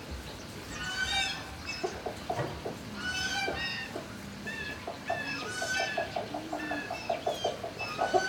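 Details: Turkeys in a barn, recorded on 26 March 2019 around midday: rapid runs of short clucking notes that speed up toward the end, with high chirping from small birds throughout.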